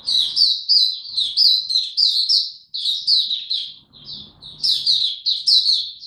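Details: Song of an Oriental white-eye in buka tiong aw style, a kept bird being ramped up to form, 3 January 2022: continuous bright, high chirped notes strung into rapid warbling phrases with one short break midway and faint low background rumble.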